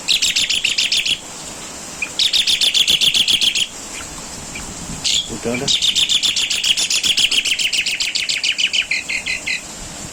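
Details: Asian pied starling master song for cage-bird training, delivered as long bursts of fast repeated chattering notes, several per second, broken by a short pause and a brief noise before the rapid chatter resumes.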